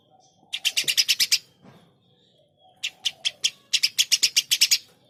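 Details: Eurasian tree sparrow calling vigorously with a fast string of about seven loud, harsh chirps. After a pause come a few spaced chirps, then another rapid run of about nine.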